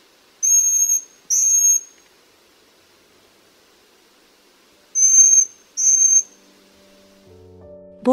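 Eurasian Pygmy Owl giving four thin, high, level whistles in two close pairs, each about half a second long, before a low musical tone ends it.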